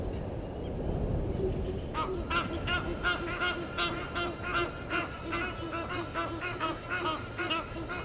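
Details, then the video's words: Egyptian geese in a dispute with intruder geese at a waterhole in Sabi Sand Wildtuin, South Africa; after two seconds of low noise, a dense, rhythmic run of rasping honks, several voices overlapping. "Egyptian Geese having dispute with intruder Geese"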